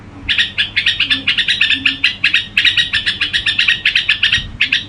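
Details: Gù song of a red-whiskered bulbul: an unbroken series of sharp, rhythmic chirps, about six per second, keeping an even, pulsing beat throughout.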